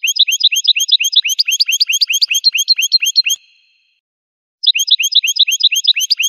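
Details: A singing goldfinch gives a long, steady stream of high, sparkling twitters, clipped notes repeated about twice a second with ringing overtones. It falls silent briefly, then repeats the same bright, regular phrase.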